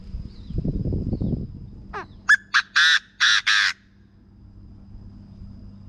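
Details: Chinese francolin calling, a recording played to excite wild birds for decoy trapping: a rising lead-in note, then a rhythmic run of four loud, harsh, broadband notes, after low rumbling noise at the start.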